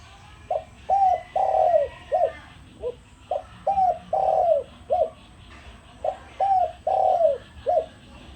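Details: Spotted dove used as a decoy bird, calling to lure others: three phrases of mellow, downward-curving coos, four to five notes each, with a long drawn middle note, repeated about every three seconds, with faint background hiss.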